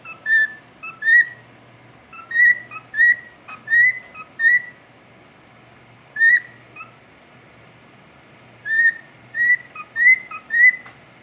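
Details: A pet cockatiel sings bright, clear whistled notes with quick upward slurs, grouped in short bursts.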